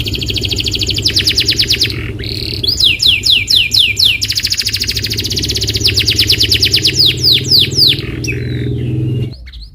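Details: Canary lure song meant to make a canary sing along: long rapid rolling trills alternate with bursts of quick down-slurred notes, nearly continuous, with a low hum underneath.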